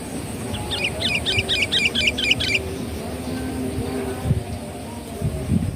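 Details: Sooty-headed bulbul lure call used to attract birds: a rapid chattering run of about a dozen sharp, bouncing notes over two seconds, then a noisy, rumbling background with no bird.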